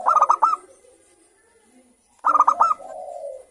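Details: Local zebra dove in morning song: two crisp bursts of fast, stuttering coo notes about two seconds apart, the second followed by a soft low trailing hum.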